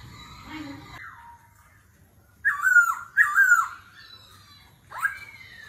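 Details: Laughingthrush in competitive song, wild-forest voice, switching voice continuously: a soft falling whistle, then two loud swooping whistled phrases in quick succession and one rising note after a pause, in quiet surroundings.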